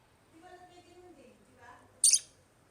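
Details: An African lovebird in a pet aviary gives one loud, harsh, high chirp after quiet murmured voices in the background.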